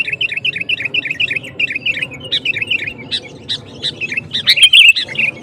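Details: Sooty-headed bulbul singing to provoke other males, delivering fast runs of repeated bright chirps in quick succession, ending in a louder warbled flourish, over a constant low background hum.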